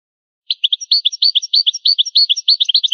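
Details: European goldfinch singing the original old-style song: a rhythmic series of clear, sharp, repeated chirped notes, about three per second, high and metallic, continuing steadily through the phrase in a silent background.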